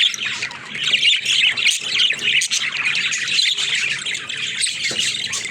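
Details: Captive budgerigars playing in their cage, a flock of varied colours: dense, continuous chattering of overlapping squawks and chirps with scratchy warbles, steady and busy throughout with no pauses.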